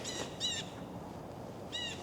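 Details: Blue Jays in a small protected park near town on a snowy morning, giving harsh, nasal jeer alarm calls because a Cooper's Hawk flew over: two quick calls, a pause, then a third, over steady outdoor hiss.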